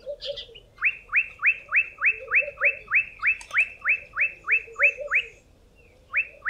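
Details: Olive Bushshrike song ahead of rain, when it calls louder and more often to reach others of its kind and hold territory: fast clear rising whistles, about three per second, repeated steadily, with softer low chattering from another bird beneath.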